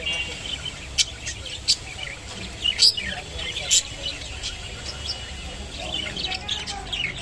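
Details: Kept rainbow budgerigar eating kolmi shak (water spinach); high, scratchy chirps and short twittering notes scattered throughout, with sharper, louder clicks near one, three and four seconds over a low, steady background rumble.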